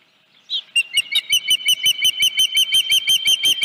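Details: Dunrovin Ranch nest, 31 July 2018, about 9:43 AM, with a headless fish: after a brief quiet, an osprey breaks into a long, fast, even series of high shrill whistled cheeps, nearly three each second.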